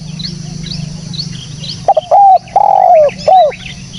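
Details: Spotted dove calling, recorded cleanly for use as a bird lure: one low cooing phrase of a short note, a long wavering coo and a closing short coo, over faint high chirps of small birds.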